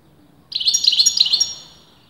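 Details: Caged European goldfinch of disputed sex in continuous song: about one second of rapid, bright, metallic twittering notes on a high pitch, beginning abruptly after brief quiet.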